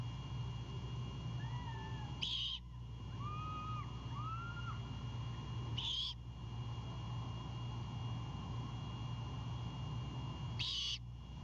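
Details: Great horned owlet on a Savannah nest at night, defending a bird its father has just delivered. Three harsh hissing screeches, about four seconds apart, over a low steady hum. Faint whistled notes come from elsewhere.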